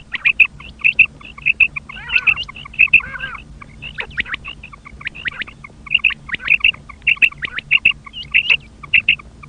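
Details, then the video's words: Common quail calling with quick, liquid whistled notes in short clipped groups, repeated over and over, with a few harsher nasal calls and a low background hum. "common quail sound"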